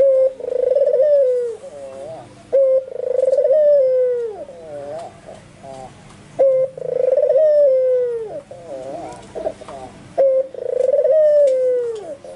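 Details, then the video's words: White albino Barbary dove in full, vigorous calling: four coo phrases in twelve seconds, each a short steady note, then a long pulsed, slightly wavering coo sliding downward, ending in a soft rolling warble. "SUARA BURUNG PUTER PUTIH ALBINO FULL GACOR - NGEGAS SAMPE GLAGEPAN"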